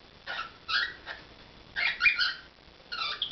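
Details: Cockatiel performing at home: quick squeaky warbled phrases of two or three notes, a chirpy burst in the middle and another at the end, over a faint indoor background.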